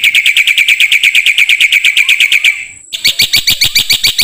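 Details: Master song of a black-winged myna for training songbirds: a long, even chain of ringing notes, a short break, then a harsher, higher run of repeated notes.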